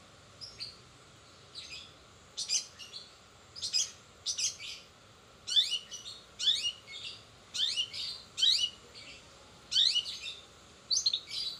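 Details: Long-tailed shrike in fast 'roll speed' song with imitations of sparrows, sogon and canary. Scattered bursts of high sweeping, downslurred whistles and chips are separated by short pauses.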